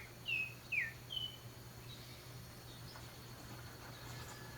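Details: Mockingbirds in spring, singing a high note from among garden jasmines: three short, clear whistled notes within the first second and a half, the first two slurring downward, then quiet with a steady low hum.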